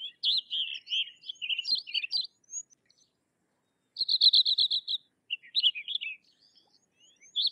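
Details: Sykes's lark delivering a lively, near-continuous high warble of varied chirps and slurs, broken by a rapid even trill of about ten identical notes. Then comes more twittering and a brief gap before another phrase begins.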